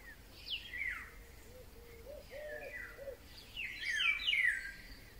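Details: Oriole song from May 2020: whistled phrases sliding downward, a row of low rounded notes in the middle, then a louder, more complex flourish at the end, other birds faintly behind.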